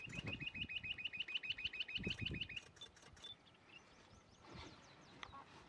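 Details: Rock Bush-Quail (Perdicula argoondah), a secretive bird of dry rocky scrub found in pairs or family groups, gives a fast, even run of sharp whistled notes, about eight a second, before trailing off; low rumbling noise underneath.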